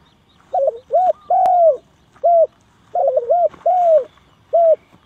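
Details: Spotted dove calling as a lure for trapping doves. It gives clear mid-pitched coos, a quick double note then a long falling coo, with a brief click partway through.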